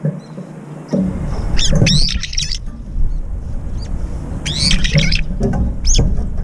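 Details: Brown-eared bulbuls chasing each other in mid-air, competing for food at a feeder. Short harsh screechy notes come in scattered clusters, mixed with loud low thumping and rustling, likely flapping and movement near the feeder.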